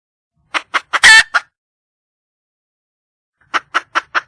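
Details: A wild junglefowl hen looking for a male gives short clucks and a harsh squawk, then after a silent gap four more evenly spaced clucks.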